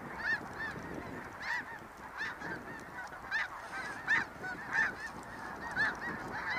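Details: Snow geese calling in the snow: loud, clipped honks bursting out roughly once or twice a second, irregular and overlapping, above a constant busy chatter from a large flock.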